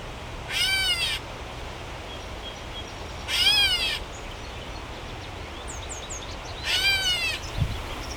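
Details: Gray Catbird in Toronto in mid-July gives three nasal, cat-like mews, each slurred and under a second long, about three seconds apart; faint high chips from another bird and a low background hum.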